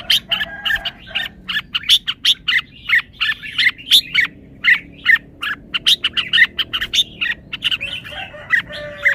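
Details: Red-whiskered bulbul performing its song phrasing (samnuan): short warbled, slurred phrases come in a bouncy rhythm, roughly two to three per second, over faint background hum.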